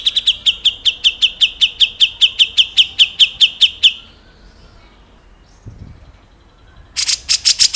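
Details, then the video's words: A grey-cheeked bulbul, recorded as a clear vocal tutor for songbirds, delivers nearly four seconds of steady, rapid, ringing chips. After a quiet pause, a harsh rapid burst starts again. "MASTERAN / GURU VOKAL SUARA BURUNG CUCAK JENGGOT"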